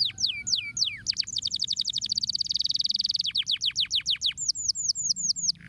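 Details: Stimulating song of a canary: swooping downslurred notes open into a long rapid rattling trill, followed by slower descending sweeps and a short series of high, slightly rising chirps.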